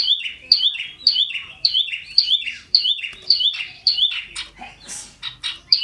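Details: Scarlet-headed flowerpecker singing hard and loud as it jumps about: a fast series of sharp, high, bouncing chirps repeated roughly twice a second, then a scatter of scratchier notes.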